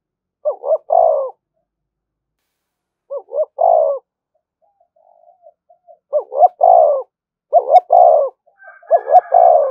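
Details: Continuous decoy cooing from a spotted dove meant to stir up fights: five deep hollow phrases of two clipped notes plus a drawn-out falling coo, repeated at irregular gaps, with a soft higher whistle near the end.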